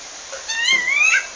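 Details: Female rufous-bellied thrush in the wild in Pernambuco, Brazil, calling to a male: a single loud, drawn-out whistled note that rises and wavers before dropping at the end, over quiet background.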